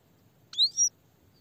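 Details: Grey-headed goldfinch uttering one quick two-part high note, a sharp upswept whistle followed by a thin sliding tone, over faint low background hum.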